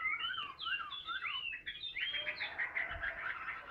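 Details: Hand-held caged Chinese hwamei singing in fighting display: clear slurred whistles rising and falling in short phrases, then a quicker buzzy, trilled run of mixed notes, moderately loud.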